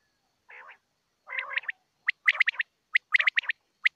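Common quail: two low, nasal growling notes, then quick bursts of sharp, liquid 'pwit' notes, some in twos and threes, over about two seconds.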